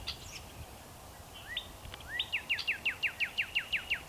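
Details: A male Northern cardinal sings before sunset in spring: a rapid run of about a dozen clear, downslurred whistles, several per second, after a couple of rising introductory notes, over faint background hiss.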